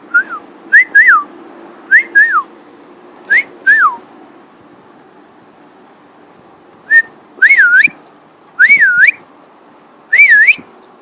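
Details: Pet male cockatiel whistling during flight: paired up-and-down whistled slurs, like wolf-whistles, in spaced bursts with several seconds of quiet between, over a faint background hum.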